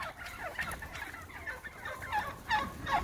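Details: Morning fly-down of wild turkeys roosting on a property, with scattered throaty yelps and clucks that grow louder toward the end, against a soft background.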